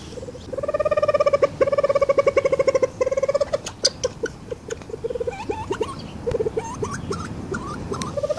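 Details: Reeves's pheasant calling: fast, rattling pulsed bursts repeated several times, followed by sharp single clucks mixed with short upward-sliding notes.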